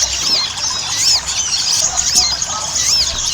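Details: Ruby-cheeked sunbird singing briskly as a lure for caged birds: piercing high twitters with looping whistled slurs recurring roughly every second amid a steady chatter.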